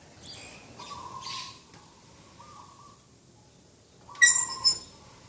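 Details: Dove in a morning garden, 2 October 2021, giving flat rolling coo notes in a series, while other small birds add loud sharp high chirps and twitters at the start and near the end.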